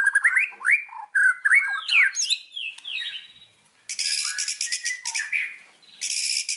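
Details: White-rumped shama singing in Indonesia, used to coax other birds to sing: varied rising and falling whistled phrases, then loud bursts of buzzy rattling notes after a short gap.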